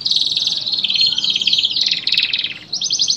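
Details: Canary song aimed at prompting stalled canaries to sing: continuous dense rolling trills and warbling phrases, high-pitched and rapid throughout.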